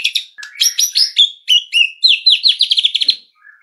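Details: Dense, varied white-rumped shama song used as a master track to make other birds sing: mixed high whistles and chips running into a fast, even trill before falling quiet.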